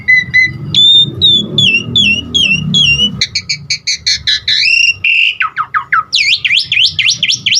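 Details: Asian pied starling singing a variety of fill-in sounds to stimulate other starlings: paired whistled notes, a series of downslurred whistles, then rapid stuttering chatter and looping up-and-down whistles, over a low rumble early on.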